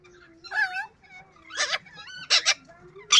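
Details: A yellow ringneck kept as a pet bird mimics words in smooth, rising and falling tonal syllables, broken by two harsh, rasping bursts near the end.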